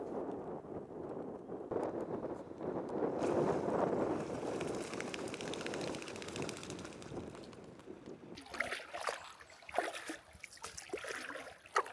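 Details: Water sloshing and gurgling around a small boat, with wind buffeting the microphone and paddle knocks toward the end; no animal calls are heard.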